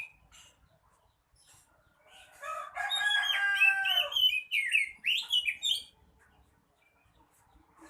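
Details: Oriental magpie-robin in energetic full song: after soft chips, a dense, loud phrase of scratchy, rasping notes over whistles, followed by quick rising and falling whistled slurs, then near silence.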